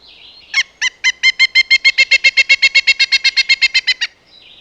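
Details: Woodpecker giving a rapid, steady series of about twenty bright, nasal notes, around four each second, loud and uniform from start to finish, then a sudden stop; no other sounds.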